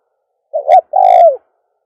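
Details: Single dove coo phrase, meant for calling doves: a wavering short note, a brief pause, then a long mellow coo that slides down at its end. The background is quiet.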